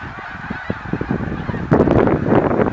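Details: Snow geese, 2014: a continuous chorus of honks, joined after about two seconds by a loud, rough burst of closer, lower calling and rumbling noise.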